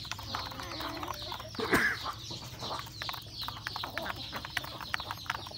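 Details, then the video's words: Roosters and a hen at a rural home flock feeding at breakfast, giving soft clucks among quick pecking taps, one louder squawk near the two-second mark, and thin chirps overhead. "Beautiful sound of chicken eating breakfast, Roosters and Cutest hen"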